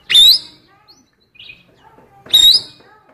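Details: Female oriental magpie-robin song phrases used to lure males, sung by a blue cucak keling: two loud, harsh bursts about two seconds apart, each with a bright rising whistle, and soft faint notes between them.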